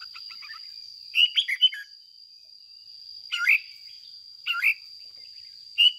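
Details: Domestic lure red-whiskered bulbul singing to stimulate other caged bulbuls: short chattering whistled phrases repeated about every second to second and a half, separated by pauses, with a steady high whine throughout.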